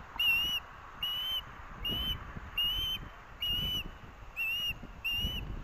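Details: Osprey chicks at a nest at the University of Montana, Missoula, Montana, on 18 August 2024, calling as parents deliver fish. Seven shrill, slightly rising whistled calls come roughly once a second, each strong and clear over a low background rumble.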